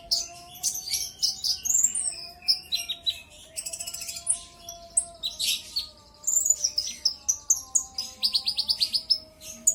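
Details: Brown-throated sunbird singing as a provoking lure: varied high whistled notes, buzzy rattles and rapid chip series, ending in a quick run of evenly spaced sharp chirps, over a faint wavering hum.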